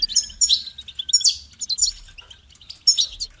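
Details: Goldfinch singing a bright, rapid twitter of high tinkling notes and short buzzy trills in quick bursts, with brief pauses between phrases.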